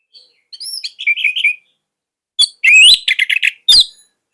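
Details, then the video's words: Orange-headed thrush, a caged Indonesian songbird, delivering short bursts of high whistled and chattering notes separated by a pause of about a second, ending with sharp upward slurs and a brief clipped phrase. "KICAUAN SANGAR ANIS MERAH COCOK UNTUK MASTERAN"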